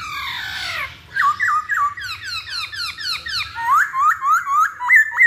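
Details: Masked laughingthrush song used as a lure to make birds sing: a rising squawky opening, then a fast run of loud, sharply dropping whistled notes, about three per second, in a small room.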